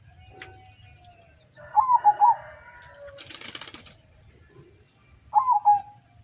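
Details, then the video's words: Local zebra dove from the slopes of Sumbing, Windusari, Magelang, singing at a zebra dove contest in Semarang, Central Java: two clear, low, rolling cooing phrases with a brief burst of rustling noise between them. "AKSI PERKUTUT LOKAL DARU GACOR DOOR"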